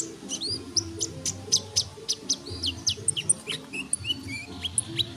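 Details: Sunbird in a tutor recording used to train songbirds: quick high chirps and short upward-curving whistles delivered in an uneven stream, plus a few sharp ticks, over a continuous low hum.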